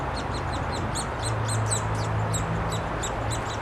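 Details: Young Downy Woodpeckers during a noisy feeding by the parents at their nest, Wolfe Park, Columbus, Ohio, 26 May 2013: a quick series of high, thin, squeaky notes about four per second over low steady hum.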